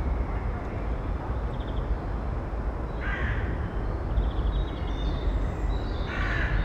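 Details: Eurasian eagle-owl female and nestlings in a nest box, filmed in early May without a directional microphone: a few isolated harsh, rasping calls spaced seconds apart over heavy, constant low-pitched background noise.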